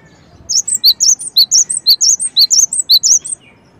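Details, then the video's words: Cinereous tit giving a rapid, high, whistled phrase of three alternating notes, repeated about twice a second for nearly three seconds, with a quiet background. "suara gelatik batu"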